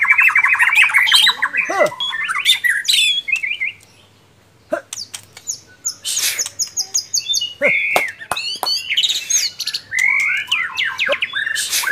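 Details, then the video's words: Contest White-rumped shama delivering loud varied song: rapid trills, bright whistles and downward slurs, a brief pause, then sharp clicks and chattering phrases. "Lomba Burung Online Murai Batu"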